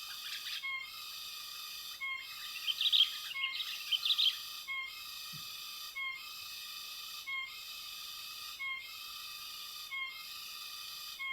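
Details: Sooty-headed bulbul being lured for trapping, no glue used, in West Lampung, Indonesia: two close bursts of twittering, scratchy chirps, then quiet except a steady high whistle-like drone broken by brief regular dips.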